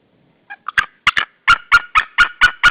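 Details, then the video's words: At a nest in Saunja, Estonia, a pair of white-tailed eagles screams together on 16 March 2013 at 12:38; hesitant scattered yelps build into a steady run of ringing, harsh notes about four per second. "Saunja Linda is screaming and Sulev came on the branche left, they scream together"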